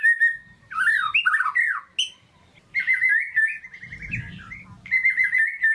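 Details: Caged white-rumped shama singing to stir a lazy bird into song: loud varied whistled phrases, slurred notes and rapid warbled runs with short pauses, bright tones jumping between phrases, low faint rustling underneath.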